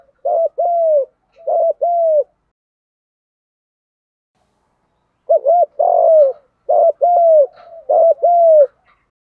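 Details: Spotted dove in vigorous 'thúc gù' coo, used as a lure: paired short phrases of doubled notes and drawn coos, a pause of about three seconds, then a longer burst of repeated phrases.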